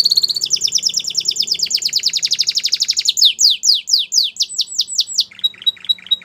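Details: White Belgian canary singing: a fast trill of rapid notes near 4–8k, shifting after three seconds to louder, slower descending sweeps, ending in short clipped notes.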